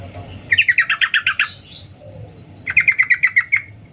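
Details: Female sooty-headed bulbul giving its 'cuk cuk' call to the male: a dense burst of quick chattering notes, then after a pause a second evenly spaced series of about ten notes.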